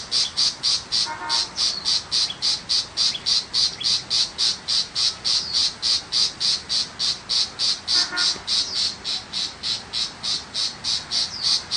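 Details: Tiger shrike in the countryside giving a fast, steady series of harsh, scratchy chattering notes, about three to four per second, for the whole stretch, with a faint lower buzz twice.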